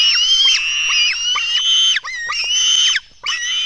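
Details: Begging black stork chicks during an early-morning feeding at their Latvian nest, 24 June 2016: intense, sustained, high harmonic screeches that run together, with falling slurs and a short pause near the end.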